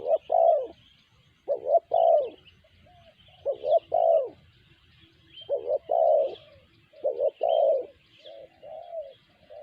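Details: Tekukur, the spotted dove, calling in sanji style: paired and tripled mellow coos, the last note drawn out, groups spaced about every one and a half to two seconds, with faint bird chatter above.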